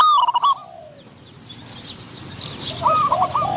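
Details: Spotted dove at a decoy trapping setup luring a wild bird of medium-pitched voice; a loud close coo opens, followed by a quiet gap, then a fainter stepped coo phrase near the end.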